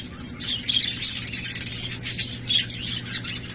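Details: Pet budgerigars at bath time giving quick, high, scratchy chirps and twitters in rapid clusters, mixed with splashing and fluttering, with a steady low hum underneath.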